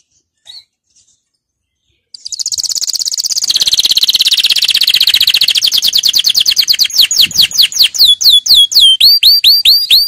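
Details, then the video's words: Canary singing a powerful song for training. After two seconds of near silence, a loud, fast rattling trill starts and slowly loosens into distinct, repeated, high upswept whistled notes. "Canary 's most powerful song for training"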